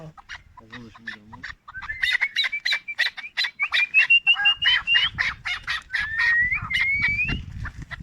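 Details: Chukar partridge aged four, Tajikistan 2021, calling a fast, accelerating chain of harsh clucking notes, about three per second, over a thin rising whistle, with a brief voice at the start and a low murmur later.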